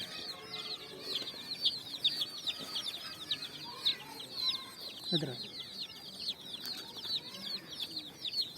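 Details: A group of coloured chicks on sand at evening, looking for food; steady overlapping shrill peeps, each dropping in pitch, with a brief low thud midway and scattered knocks.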